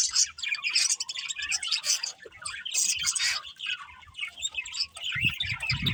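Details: Budgies giving continuous high-pitched twittering and chattering, many overlapping chirps with scratchy warbled notes and some low rumbling near the end.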